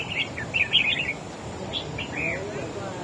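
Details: Red-whiskered bulbul, a wild-caught caged bird, singing competitively against a rival: a rapid, loud run of chirpy whistled notes, then a few slower slurred phrases, with light background hiss.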